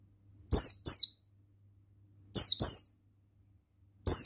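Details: Loud male buxtoni Oriental white-eye in forest style: piercing, high chirps that drop in pitch, given in tight pairs about two seconds apart and then a lone note, each opening with a sharp click.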